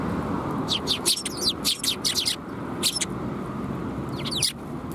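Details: Sparrows at a Tenmangu shrine, recorded 13 December 2021: bursts of sharp high chirps in quick irregular runs, pausing and resuming, over a constant roar of traffic.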